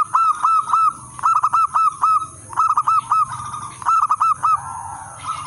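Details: Local wild-type zebra dove in full song, played to lure and tutor other zebra doves. It gives phrases of four or five quick, hooked, fluty coos, with short pauses between them, over a constant high hiss and a low hum.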